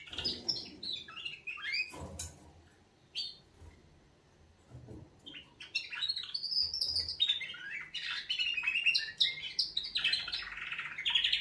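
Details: Canaries give a morning wake-up song: bright, high warbling phrases of rapid chirps and trills, then a brief pause before a busier, overlapping chorus, with a few soft knocks in the room.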